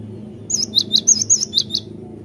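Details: Cinereous tit singing energetically: a single phrase of about seven crisp, high notes alternating between a higher and a lower pitch, evenly spaced, over a soft low hum.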